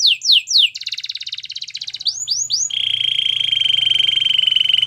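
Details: Canary's training song: three loud falling whistles, a fast pulsing rattle, three more swooping notes, then a long, even, high buzzy roll held steady.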